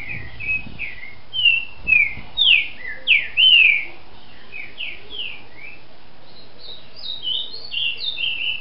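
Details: Captive-bred green-winged saltator (trinca-ferro) from Brazil giving its manhoso-style song: loud, clear whistled slurred notes, several rising then falling, delivered in a quick phrase, followed by a softer run of higher whistles; faint low hum beneath.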